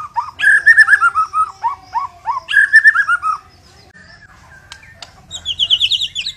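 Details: Murai Batu Medan shama in strong song: two series of loud falling slurred whistles delivered rapidly, a quiet stretch with faint ticks, then a fast high-pitched trill closing the passage.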